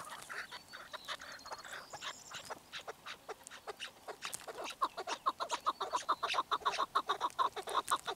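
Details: Chukar partridge: scattered clicks at first, then a loud, regular rattle of short clucking notes, about two and a half per second, rising in volume through the second half.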